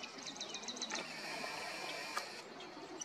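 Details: Marsh wren at Flaming Geyser State Park, Washington State: a quick run of high, dry, evenly spaced notes in the first second, then fainter scattered chips over a steady hiss of background noise.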